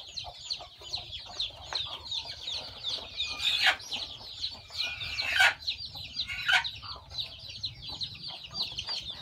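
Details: Newborn chicks hatched by a hen at a farm peep continuously in a high, twittering chorus. Three louder, harsher bursts break in around the middle, with softer low sounds between.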